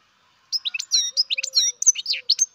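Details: Rapid, clear high twitters from a baby European goldfinch bred in captivity, with sharp rising and falling notes packed into a two-second burst. A faint low tone sounds underneath.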